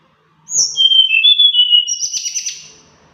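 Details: Varied, melodious mountain flowerpecker song: a very high whistle falling in steps to lower sustained whistled notes, ending in a rapid buzzy trill.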